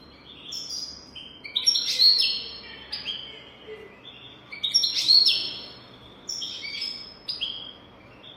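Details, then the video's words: European goldfinch song of the 'golden throat' type, played to teach young goldfinches: twittering phrases with tinkling notes and nasal buzzy trills, repeated roughly every three seconds in a steady sequence. "تغريد رهيب طائر الحسون حنجورة دهبية لتعليم طيور الحسون"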